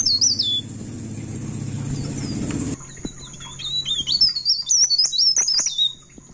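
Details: Pied bushchat at midnight in ngerol rolling song: a brief high whistle over loud low rumbling noise, then after the noise drops away, a run of quick high twisting whistles with clicks.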